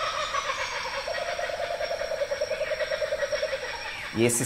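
Laughing kookaburra: a rolling run of hoarse, chuckling notes, about eight a second, rising into a cackling laugh over a steady background hiss.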